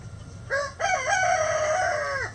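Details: A rooster's crow: a short rising opening note, a brief break, then a long, clear, sustained cry that bends down at the end, with a constant low background hum.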